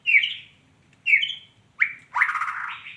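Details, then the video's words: Calls from a female white-rumped shama: two short squeaky notes about a second apart, a sharp rising chip, then a longer harsh, buzzy rasp. "suara burung muray batu betina"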